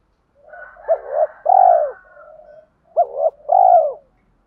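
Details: In the morning, a decoy spotted dove calls to wild doves with two mellow phrases, each a pair of clipped notes then a long falling coo, over a soft purring hum.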